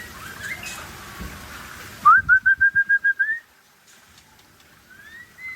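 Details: Aceh white-rumped shama giving a rising whistle followed by an even series of about eight pure, loud whistled notes, then a quiet pause and faint rising whistles.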